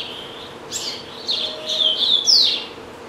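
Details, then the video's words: Domestic double-collared seedeater, a family's caged songbird that keeps singing even while eating, delivering a fast run of high buzzy slurred notes rising in loudness toward the end. "Coleiro Bravo - Canta Muito"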